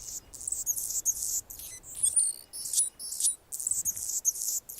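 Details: Singing from a branch in Golden Gate Park, San Francisco, California, an Anna's hummingbird delivers rapid high-pitched scratchy chips and squeaks in uneven bursts separated by brief gaps.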